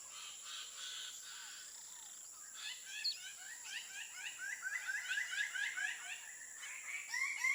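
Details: Greater Birds-of-Paradise at a lek high in a forest tree in Indonesian Papua, males excited by an arriving female during courtship display, give loud rapid repeated upslurred calls building into a chorus, over steady insect hiss.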